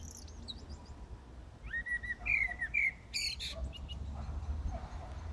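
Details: Night song of a common blackbird in Brussels, Belgium, early morning on 15 January 2018: a few rich, sliding whistled notes followed by high scratchy twitters, with soft background traffic hum.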